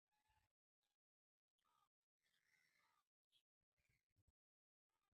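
A common myna mimics human speech in short, choppy, voice-like bursts with a brief high whistle, separated by silent gaps.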